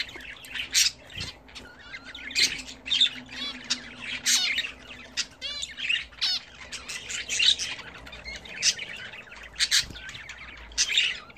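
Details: Pet budgerigars bred at home chatter during a bath, with loud squawky bursts every second or so between softer warbling chirps and clicks, plus a faint low hum in the room.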